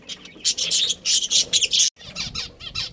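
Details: Breeding budgerigar colony: loud, rapid, raspy chirps in quick pulses, a brief break, then softer warbled twitters continuing.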